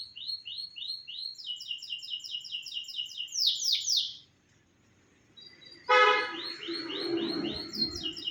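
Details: Canary song used as a master recording for training other birds: rapid series of high chirps and fast repeated trilled phrases, a brief pause, then a loud harsh honking burst followed by further trills.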